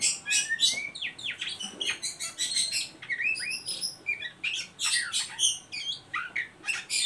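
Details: Continuous ngeriwik song of an Oriental magpie-robin, used to lure young birds into singing, mixing loud scratchy rasps with quick downslurred and upslurred whistles in a fast, unbroken stream.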